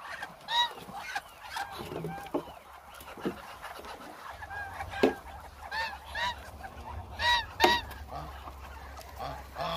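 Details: Around a thousand hungry Muscovy ducks calling together: rough, nasal honks and squeaky cries overlap continuously, with loud individual calls standing out every one to two seconds above a busy crowd noise and a faint low hum.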